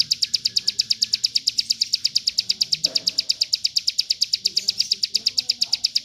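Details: Caged prinia (ciblek gunung) singing a rapid 'bren' song used for tutoring other birds: a fast, even series of high sharp notes, about three per second, sustained throughout, with faint low background noise.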